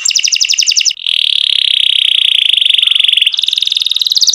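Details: Singing canary, cenkok style: a fast high rolling trill, a brief break, then a long even buzzy trill at lower pitch, followed by a return to rapid higher pulsed notes, clean and close.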